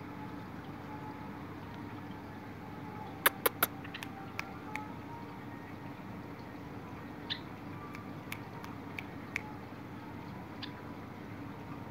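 Steady low hum and hiss with a few sharp clicks and faint brief chirps, and no clear animal calling.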